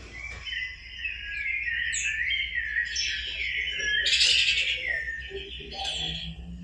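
A Rufous-bellied Thrush sings a continuous, fluty warble of quick, varied phrases, rising and falling in a bright mid-high pitch, over faint low background hum.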